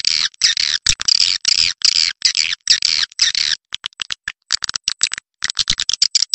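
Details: Edible-nest swiftlet roosting lure call: six evenly spaced bursts of harsh, buzzy chatter, then a quicker sequence of short sharp clicks and scratchy chirps.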